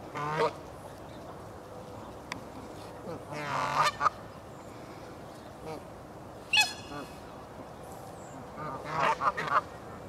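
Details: Canada geese in the castle park at Herten, Germany, give loud, nasal honks in separate bursts, several in a row, spaced a few seconds apart over a low background hum.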